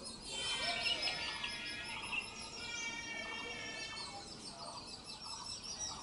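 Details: Indian grey hornbill parent feeding its offspring: rich, harmonic squealing calls rising and falling in quick runs, repeated across several seconds. A steady wash of high-pitched chirps from other birds or insects plays underneath.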